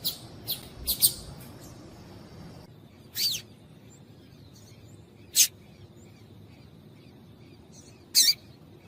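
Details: Female double-collared seedeater calling to get a male singing: a quick burst of high chips at the start, then isolated sharp, very high notes every two to three seconds against a quiet hiss.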